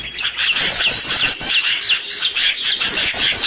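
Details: Birds in a lure recording used to attract birds for trapping: dense, high, overlapping chirps and short rapid trills, repeated almost continuously, with thin whistled notes layered on top.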